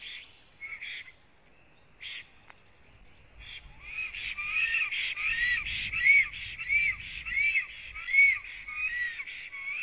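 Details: Black stork arriving at its nest on a Latvian live nest camera, 26 April 2017 at 09:31, singing: a series of wheezy, hissing phrases with rising whistled notes, roughly one and a half per second, growing louder after faint opening calls, low rumble beneath.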